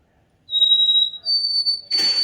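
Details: A White-throated Sparrow, common in the South in winter, at Lichterman Nature Center sings its high "old Sam Peabody" song: two long, pure, high whistles, the second a step higher, followed by a brief burst of rustling.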